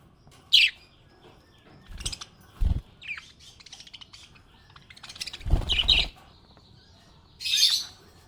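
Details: Happy budgerigar chirping comes in sparse, sharp tweets and a couple of louder buzzy bursts. Low thuds and knocks, likely cage movement, fall between them.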